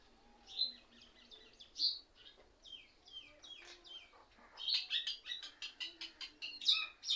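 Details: Mynas crowded into one tree, their calls likened to laughter and mimicry of other birds; scattered whistled and downslurred notes at first, then a rapid, steady run of sharp chirps.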